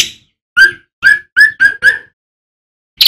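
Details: Singing male striated swallow: five clipped, mid-pitched whistled notes given in quick succession, then silence and the start of a harsh rasping burst.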